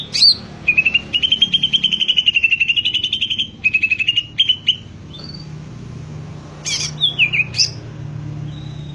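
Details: Greater green leafbird in full song: long rapid trill of clear whistled notes, then shorter phrases, sharp high upward sweeps and a descending slur, over faint low background hum.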